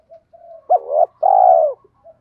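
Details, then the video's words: Spotted dove, male and female birds recorded to stimulate trained birds to call. Soft humming notes lead into a sharp rising note, a wavering phrase and a long level coo that fades downward, with faint murmurs after. "Tiếng chim cu gáy THÚC GÙ Gáy Gọi, nhiều bài vở(tiếng chim cu gáy kích bổi hiệu quả)"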